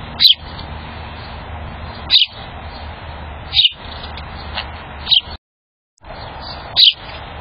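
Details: A chipping sparrow in a backyard gives single sharp, high chips, about one every one and a half seconds, over a steady background hiss with a brief silent gap.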